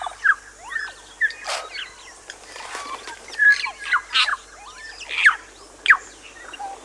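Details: New Zealand bellbird song on Little Barrier Island, New Zealand: bursts of clear, varied whistled and bell-like notes with sliding upslurs and downslurs, interspersed with sharper clicks, with irregular pauses over steady faint background hiss.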